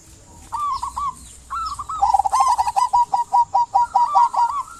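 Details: Local zebra dove in lively song, used to prompt quiet doves to call: a few soft mid-pitched coos give way to a fast, evenly spaced series of short clipped notes, about a dozen in a row.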